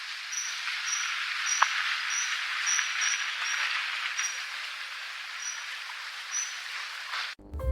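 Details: Blyth's (Hercules) kingfisher, a very rare, protected bird in Thailand with no recorded nesting there, gives thin, very high, sharp notes, about two per second, over a steady rushing hiss like running water or rain.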